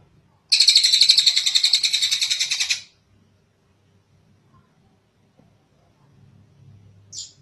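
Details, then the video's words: Kingfisher giving a long call, recorded as a master track for teaching other birds: a single loud, rapid, grating rattle of over two seconds that weakens toward its end, then quiet with one brief high note. "Suara Burung tengek cililin panjang buat masteran burung"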